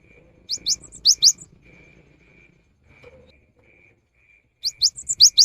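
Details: Cinereous tit in the afternoon, whose song is said to draw other birds into singing: two short bursts of high, sharp, rising whistled notes separated by a long quiet gap with a faint steady high tone.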